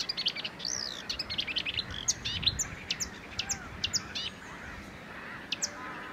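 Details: Marsh warbler at Het Vinne, Zoutleeuw, Belgium, in May 2024: a fast, varied run of high chirps, sharp ticks and short whistled phrases, dense in the first half then sparser, over a steady low background hiss.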